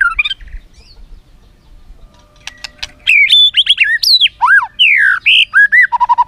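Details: A white-rumped shama's imitation-filled song, used to get other shamas singing: quiet opening ticks, then loud, fast, varied whistles with steep up-and-down sweeps, ending in a rapid series of short, repeated notes.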